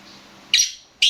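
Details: Two loud, abrupt, rasping notes from a black francolin (kala teetar), separated by about half a second of near silence.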